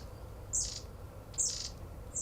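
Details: Long-tailed Tits in an English garden on 11 December 2020 give thin, very high, buzzy calls in short bursts, roughly one per second, over a low background rumble.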